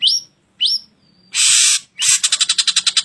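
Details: Ashy drongo singing as a masteran for training cage birds: two quick upslurred whistles, a thin steady note, a loud hissing rasp, then a fast series of scratchy pulses.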